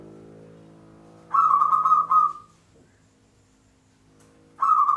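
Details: Lure recording of a local zebra dove singing in the Mataram pakem rhythm: one rapid, bubbling run of short coos rising into a held note, then silence before the next phrase begins.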